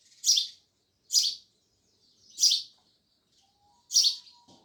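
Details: Four loud, harsh sparrow chirps about a second apart, then a thin steady whistle near the end.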